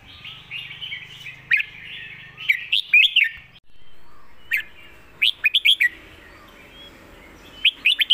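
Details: Red-whiskered bulbul singing a phleng mae bot (master song), a golden-voiced style: clusters of quick, sharp, rising-and-falling whistled notes in bursts of three to five, over a soft continuous warble, with a low hum early on.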